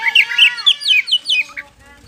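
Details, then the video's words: White-rumped shama giving a quick run of varied whistled and warbled notes, rising and falling, fading after about one and a half seconds. "SUARA PAMCINGAN KACER POCI GACOR BIKING NGEPLONG"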